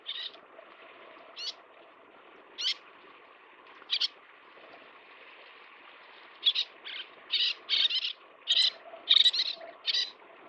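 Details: Little tern (Sternula albifrons) at a nesting site feeding chicks, giving sharp, raspy kik notes: first a few spaced calls, then a quick excited run of harsh cries over a faint steady hiss.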